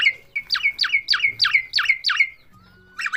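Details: Myna said to be talking gives a repeated string of sharp, down-slurred squawks, seven in quick succession over a steady whistled tone, a pause, then another squawk burst at the end.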